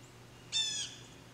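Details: Blue jay giving a single harsh, nasal squawk lasting about a third of a second, rich in stacked overtones, against a quiet background with a faint low hum.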